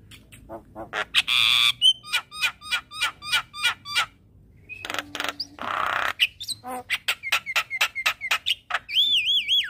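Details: Javan myna song played each morning as a lure to train a caged bird: quick repeated clicks with short whistled notes, harsh hissing bursts, then a string of sharp chips ending in looping warbled whistles.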